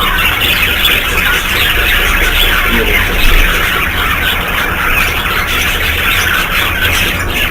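Budgerigars chatter nonstop in a dense flock, with overlapping high squeaky warbles and chirps, over a low steady rumble.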